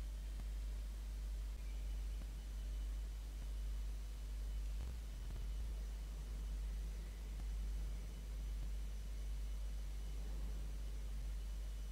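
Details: Steady low rumble of traffic and wind noise with no animal calls heard.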